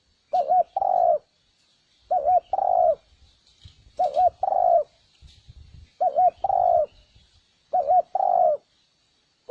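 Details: Lure for wild spotted doves: a wavering double coo, then a longer falling croo, repeated five times at roughly two-second intervals. Low thumps and clicks sound between phrases, over a faint high hiss.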